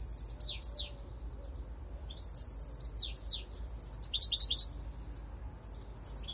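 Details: Lure recording of a European goldfinch with scattered sharp high calls, down-slurred notes and a brief burst of bright tinkling twitter near the end, over a faint low hum.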